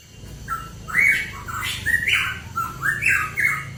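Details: Hooded pitohui song, recorded in mountains of East Java: a rapid run of clear, slurred whistles, each note rising or falling, in a steady mid-high phrase over faint background hum.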